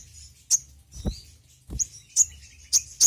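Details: Sogon, also called sogok ontong, a sunbird kept by songbird hobbyists, used as a lure sound: sharp, very high chirps spaced about half a second apart, with soft low thumps between them.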